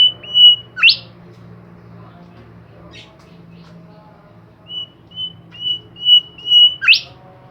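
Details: Bimoli bird singing vigorously: two level whistles and a sharp upward sweep, a quiet gap with faint humming, then five more even, steady whistles ending in another rising flourish.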